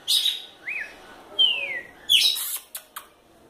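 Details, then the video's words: Female red-cowled cardinal, described as lively and fiery, giving sharp high chirps, a short arched whistle, then a long downward-slurred whistle, followed by another burst of bright chirps and two clipped ticks. "Galo de campina fêmea fogosa"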